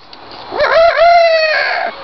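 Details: A talking pet bird kept at home gives one drawn-out, harmonic squawk of about a second and a half. It rises, wavers, then levels off, and a person's voice is heard just before and after.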